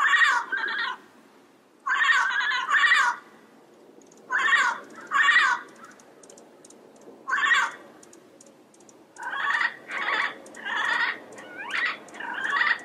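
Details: Yellow-headed amazon uttering harsh, raspy paired squawks in bursts with pauses, then a quicker series of grating calls near the end.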